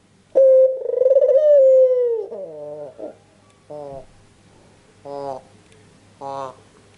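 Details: Red-eyed white Barbary dove, an albino, giving one long, level coo that droops at the end, then several short, clipped throaty notes spaced about a second apart, with faint room background.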